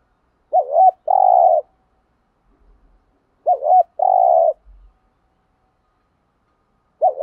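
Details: Lure spotted dove kept to stir up other doves, calling in thúc gù and gáy gọi styles: a two-part phrase, a short quavering coo then a longer steady hum-like coo, repeated about every three seconds.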